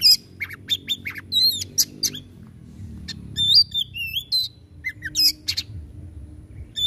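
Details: Singing kacer, or white-rumped shama, played to get idle birds singing: scattered whistled slurs and sharp clicks over a faint low hum, with quieter gaps between bursts of varied notes.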